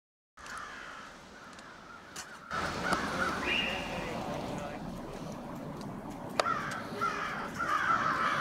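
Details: Many crows staging in a winter gathering on Washington St, Brattleboro, Vermont, on 16 February 2021. Hoarse caws overlap in a steady chorus that grows louder after a quiet start, with a sharp click and a broad urban rumble underneath.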